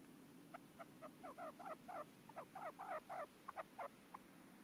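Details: A caged male red-legged partridge decoy calling to wild partridges, singing its 'canto de mayor' of 4–5 beats. It gives loud, rapid rasping bursts, roughly four a second, grouped in quick clusters against a quiet field.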